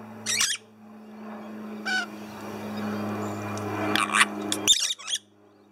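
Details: Pet lorikeets kept with their owner indoors: three short, harsh, noisy squawks stand out over a steady low hum.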